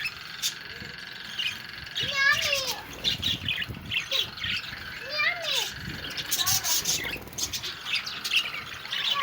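Budgerigars chatter with warbling, chirping calls and rapid squeaky trills.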